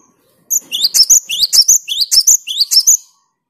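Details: Clear, lively song of a cinereous tit (gelatik batu or wingko), used to provoke rival birds: one run of about ten sharp, high notes sweeping upward, repeated evenly over nearly three seconds against a silent background.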